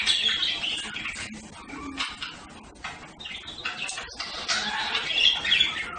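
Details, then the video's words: Budgerigars twittering fast, thin squeaky notes and buzzy chirps repeated rapidly, rising louder toward the end. "صوت طيور هند(البادجي)"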